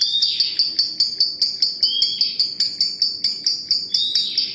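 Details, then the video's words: Lovebird in a ngekek chattering bout: high, harsh bursts repeated a little over twice a second, with short rising whistled slurs woven between them. "Love birds gacor ngekek panjang konslet - Love Birds Sounds Ngekek"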